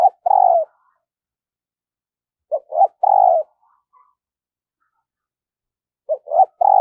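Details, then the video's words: Spotted dove used as a decoy for wild doves, cooing phrases repeated roughly every three seconds, each two short rising notes followed by a long, slightly descending coo. "Luyện Giọng Chim Cu Gáy Mồi Mỗi Ngày"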